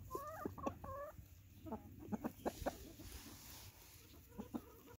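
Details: A blue laced red Wyandotte rooster's food call: quick bursts of low, throaty clucks in short runs, calling hens over to share food he has found, over a steady low background rumble.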